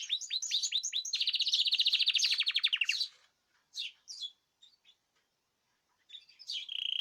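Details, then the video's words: Group singing of caged birds, 14 March 2026: quick rising chirps run into a loud, rapid rattling trill for about two seconds, followed by scattered soft notes and a new trill at the end. "تغريد جماعي للطيور"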